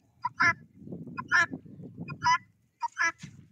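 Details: Domestic helmeted guineafowl kept alongside a rooster give four harsh, grating calls about a second apart, over a low murmur of other poultry.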